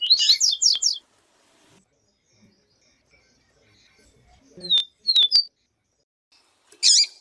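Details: Yellow-bellied seedeater, with a female's call in the recording: a rapid burst of buzzy chirps, a long quiet gap, three short falling whistles, then one harsh buzzy note.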